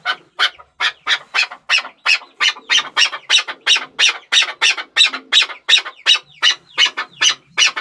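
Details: Repeated grating chuck notes from a Chukar partridge, evenly paced at nearly three per second, with faint higher squeaks between some notes.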